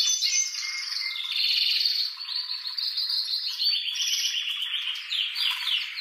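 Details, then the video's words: Breeding-season male canary song meant to excite a female to mate and nest: varied trilled phrases that change pitch every second or so, with brief pauses between tours. "تغريد هيجان لتحفيز ذكر الكناري لتزاوج ولجعله يغرد"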